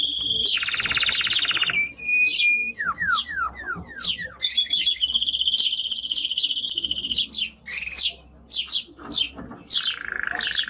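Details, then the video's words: Strong male timbrado canary with a high-pitched song: a buzzy trill, rapid falling sweeps, then long high rolled phrases and sharp chirps. "Canary singing Strong Bird - ذكر كناري تغريد نار"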